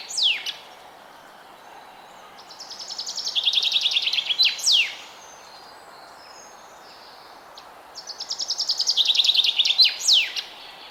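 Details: Forest birds chirping: two bursts of song, each with sharp high whistles sweeping steeply down, then a fast, even, buzzy trill of many short notes. The first burst comes around the middle, the second near the end, over a quiet, faint background hiss.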